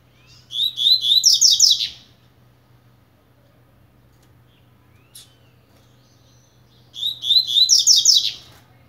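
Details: Beginning to warm up, a blade-style Double-collared seedeater sings two matching phrases roughly six seconds apart, each a rapid string of high, bright chirps building into a buzzy finish.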